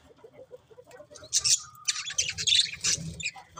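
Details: Budgerigars kept as pets, with soft low ticking notes first, then a loud run of high, sharp, squeaky chirps and rasping twitters packed together toward the end.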